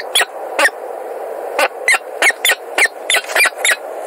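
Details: Peregrine falcon in Montreal, recorded 16 February 2017: short, separate, rasping calls repeated at irregular intervals about a second apart or less, with a steady low background hiss.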